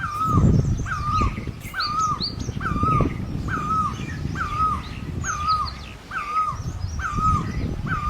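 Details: Great barbet in Asia (Thai นกตั้งล้อ) giving a steady series of mellow, slightly rising-then-falling two-part notes, roughly one per second, over rumbling low background noise and faint higher chirps.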